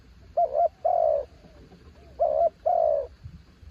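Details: Decoy spotted dove coos two phrases, each a wobbling short note and a longer level coo, followed by a faint low thump.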